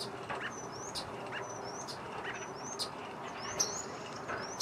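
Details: Common starling singing a thin, high, rising whistle about once a second, mixed with dry clicks and rattles over a soft hum; recorded 5 May 2023 near Folsom Lake, Folsom, California.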